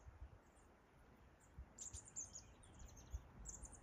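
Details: Chestnut-backed chickadee on Mt. Doug gives faint, very high, thin lisping notes in a few quick bursts over a low rumble of wind and background noise.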